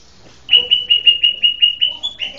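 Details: White-rumped shama giving a quick run of about nine evenly spaced, high whistled notes at a steady pitch, finishing with a slight upward flourish.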